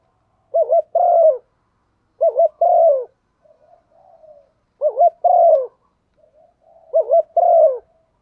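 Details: Female spotted dove stimulating a male, a call used as a lure for wild birds. Four low phrases come roughly every two seconds, each two quick wavering notes and a longer falling coo, with quiet soft murmurs in between.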